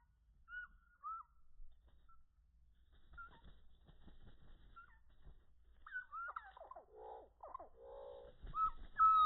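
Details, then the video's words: Chickadees being hand-fed on a walk in a Conservation Area give short, high, down-slurred whistled notes, then a few buzzy, harsh notes near the end, over faint clicks and rustling. "Feeding chickadee birds."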